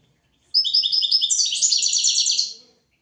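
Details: Tutoring song of a European goldfinch for training goldfinches and canaries: after a short silence, one two-second phrase of repeated high chirps that quickens into a rapid, jangling trill, then stops cleanly.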